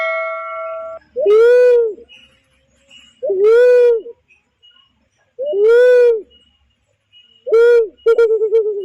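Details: Barred cuckoo-dove (uncal loreng) lure call used to attract birds for trapping: deep, rounded hooting coos repeated about every two seconds, with a faint steady tone in the background.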